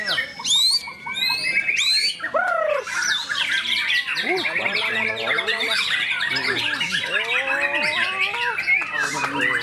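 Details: White-rumped shama singing a dense, varied song: sharp rising and falling whistled notes, quick downslurred sweeps, and rapid buzzy trills in a continuous stream, with high piercing notes at the start.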